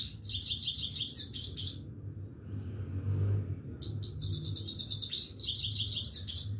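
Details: Song of the Himalayan goldfinch: rapid, bright twittering trills in two long phrases with a quiet gap between, while a low rumble like a passing vehicle fills the background.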